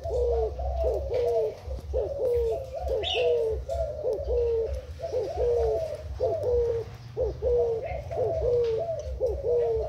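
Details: Spotted dove kept as a Thai decoy bird, recorded 10 April 2018, giving low, rounded cooing phrases repeated about once a second in a steady run, with a low rumbling hum beneath and faint higher chirps.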